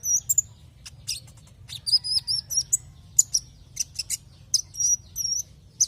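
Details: Javan white-eye song used as a lure to make other white-eyes sing: very high, thin wavering whistles and sharp ticking chirps in irregular bursts, over a steady low hum.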